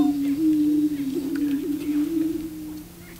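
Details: On the booming grounds, male prairie chickens courting a female give a continuous deep, moaning drone that rises and dips gently before fading.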